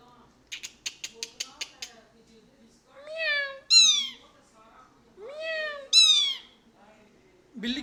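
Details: Tame two-year-old male plum-headed parakeet kept as a pet, which speaks words in Urdu or Hindi and whistles. A quick series of dry clicks comes first, then drawn-out, harmonic speech-like phrases that slide up and down, with pauses between them.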